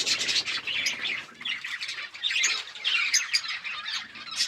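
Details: Budgies feeding on October 29, 2023 keep up a steady stream of sharp chirps, squawky notes and twittering, many birds calling at once in rising and falling waves.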